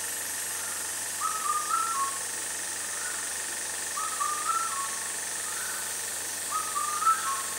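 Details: Indian cuckoo, a rare bird that signals summer, repeats its four-note whistled phrase three times, roughly every two and a half seconds. A steady hiss fills the background.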